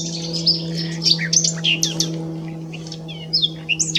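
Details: Common nightingale at S'Albufera giving scattered bright chirps and slurred whistles in uneven bursts, with quieter gaps, against a steady low mechanical hum.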